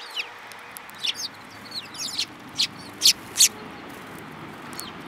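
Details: Several Eurasian tree sparrows, one with a yellow beak, on 7 March 2018 give short bright chirps, irregular at first, then two loud sharp notes near the end over faint background noise.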